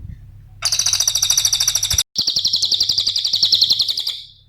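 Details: Cililin song meant to lure and train other birds: a bright, high, rapidly pulsing trill runs for over a second, cuts out briefly, then returns louder and continuous for two more seconds before fading.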